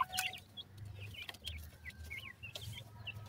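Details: Soft calls of grey francolin chicks seeking their mother, a few high, wavering chirps spaced apart over a low hum and a couple of brief scratchy noises.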